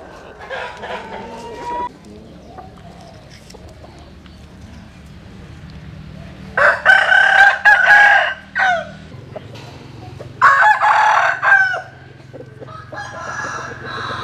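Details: Roosters crowing at early dawn in the morning sun: a distant crow, a quiet pause, then two loud close crows several seconds apart, over a steady low hum.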